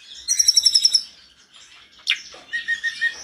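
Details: A snowy-browed flycatcher sings in full, agitated form: a fast run of about eight thin, very high notes, a short pause, a scratchy sweep, then a series of lower, clearer chirps.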